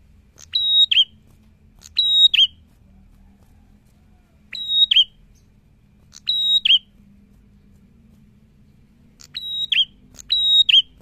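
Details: A prinia in strong song, used to set other prinias singing, gives six short, high, sharp whistled bursts, each about half a second, at irregular gaps of one to three seconds, over faint low hum.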